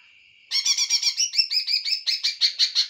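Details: Greater green leafbird singing: a steady thin whistle gives way to a loud, rich, rapid song of chattering, warbled high notes in quick regular pulses, each phrase slightly varied.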